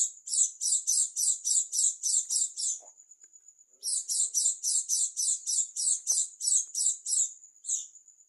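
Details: East Javan dakun Oriental white-eye singing oddly: long trains of sharp, high, evenly repeated buzzy notes split by a quiet thin whistle, with a brief final note and a few faint low clicks.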